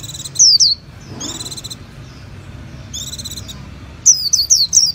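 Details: Japanese white-eye singing high, thin descending chirps in short bursts, mixed with buzzy, tinny notes and separated by quiet gaps.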